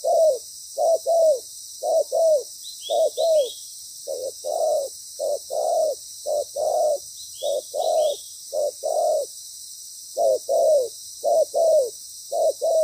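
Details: Spotted dove decoy bird with a loud voice, calling during ground-decoy trapping: mellow low coos in pairs, a short note then a longer falling one, repeated about once a second with brief pauses, over a steady high hiss.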